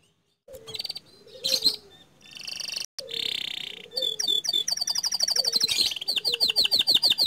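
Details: Canary of the panda color type, a lively caged singer, delivering long rolling song: fast trills at high pitch, buzzy tours, sweeping whistles and rapid repeated notes, ending in a run of bright looping notes.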